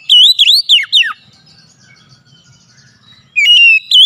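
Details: Clear, loud whistled phrases of an oriental magpie-robin, used to lure a lazy bird into singing: three or four ringing up-and-down notes, a near-silent pause of about two seconds, then a new burst of steady whistles.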